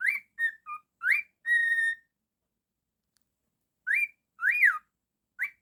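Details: Cockatiel kept as a pet whistles a quick tune indoors: clipped rising notes, a held steady tone, silence, then swooping up-and-down whistles and a final rising note.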